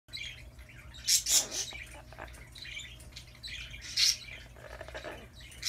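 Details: Pet Amazon parrot, described as chatty, giving a jumble of harsh squawks and scratchy chatter. Loud bursts come near the start and middle, with softer babbling sounds between them.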